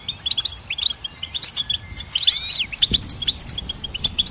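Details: Song of a goldfinch hybrid for training songbirds: sparkling high chirps and short trills, a burst of rapid descending twitters near two and a half seconds, then steady chirping.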